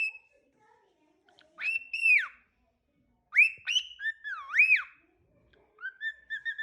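A cockatiel whistles a learned tune of clear, bending notes that swoop up and down in short phrases.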